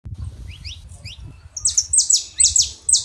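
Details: Saffron finch, male and female, singing to warm up a quiet canary: a few faint rising chirps, then loud sharp high notes repeated about every half second.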